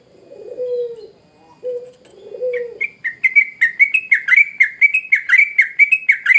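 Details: Sooty-headed bulbul in full song. A few low, drawn-out coos come first, then a rapid string of bright, dropping chirps, about four a second.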